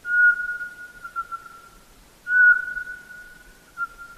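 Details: Eurasian pygmy owl singing soft, repetitive whistles: two monotone notes about two seconds apart, each fading into a long, level tail, with no other sounds.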